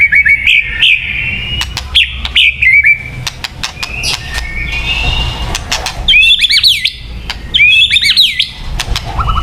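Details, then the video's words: White-rumped shama singing for bird-luring: bright whistled slurs and curling notes broken by sharp clicking ticks, with a stretch of quieter rasping before loud looping whistles return. "Suara Burung Murai Batu yang paling baik untuk pikat"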